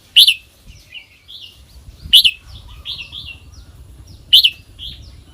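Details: Red-whiskered bulbul in the kwik-jok-khwai-liang song style. Three loud, sharp, arched whistles come about two seconds apart, with softer warbled notes between them against a quiet, low rumbling background.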